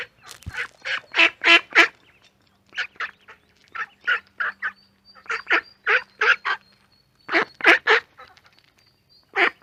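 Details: Pond ducks with ducklings quacking in steady runs of hoarse, nasal calls, several per second in clusters, separated by brief gaps; a thin high whistle and a low hum sit behind.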